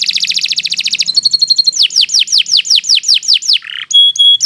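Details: Domestic canary in full song meant for tutoring young birds: a fast buzzy trill flows into a series of clear downward-sweeping whistles, a brief lower note, then a pure ringing tone.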